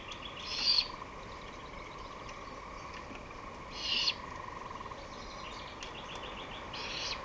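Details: Great horned owl recorded on 23 May 2018 at 5:53 pm, giving short harsh hissing screeches every three seconds or so, with faint rapid twittering of small birds and a steady low hum behind.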